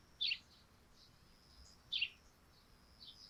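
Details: Morning sparrow chirps from a dew-covered thatched roof: two sharp, bright notes nearly two seconds apart, with softer distant cheeps between them and a quiet hiss underneath.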